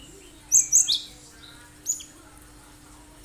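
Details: Sharp 'tembakan' song of a Cinereous tit, known locally as gelatik batu, meant to prompt other birds into singing: a tight cluster of three piercing, high whistles, then one lone thin note after a gap.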